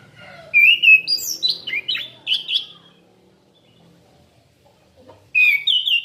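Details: Orange-headed thrush song, used as a lure recording: a rich, varied run of high whistled and warbled notes lasting about two seconds, then a pause before another bright phrase begins.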